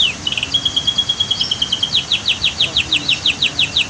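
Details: Canary singing for a training track set against waterfall and dam sounds: a long level whistle gives way to evenly spaced sharp chirps repeated roughly five times a second, with low water hiss underneath.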